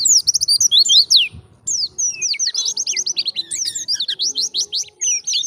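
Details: Luring song of an Indonesian white-eye in forest style: rapid high whistled phrases, a brief break, then a long even string of bright rising and falling notes over soft low background noise.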